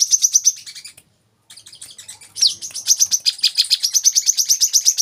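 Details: Olive-backed sunbird trilling: a quick high series, a second of silence, then a long run of rapid, slightly buzzy repeated notes with a sweeping slur near the start.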